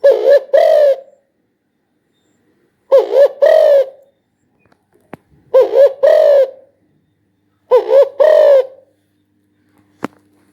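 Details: Four deep, rhythmic Spotted dove coo phrases roughly every two and a half seconds, each opening with stuttered short coos and closing on a drawn-out note, with a sharp click near the end.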